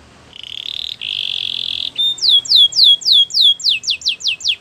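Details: Belgian canary training song opening with a long level buzzy trill, then clear downward-slurred whistles repeated roughly four times per second, growing quicker and steeper toward the end.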